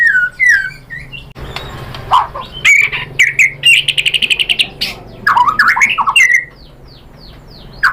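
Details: White-rumped shama singing as a lure to draw replies from other shamas: varied whistles and sharp chirps, a fast rattling run of repeated notes midway, then tumbling slurred phrases before quiet hum.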